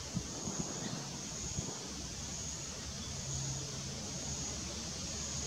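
Constant wind buffeting and low rumbling hiss, with no animal sound heard.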